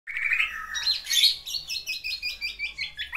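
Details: Kept male black-naped oriole singing vigorously while courting a female, producing mimicked fill-in phrases: a rising whistle, then a burst of high chirps and a run of quick repeated falling notes.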